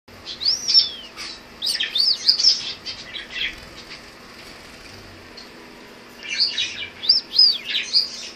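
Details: Male Gouldian finches kept as pets, showing off: thin, high squeaky notes and rapid buzzy trills in two bursts separated by a quiet stretch, over a faint steady hum.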